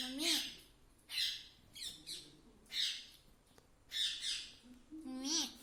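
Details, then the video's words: Talking pet ringneck parrot at home; repeated harsh high squawks about once a second, mixed with speech-like harmonic notes rising and falling at the start and end. "talking parrot mummy papa"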